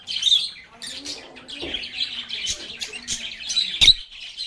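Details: Group of lovebirds talking and singing: continuous high twittering and raspy squawks, punctuated by a sharp click-like burst near the end.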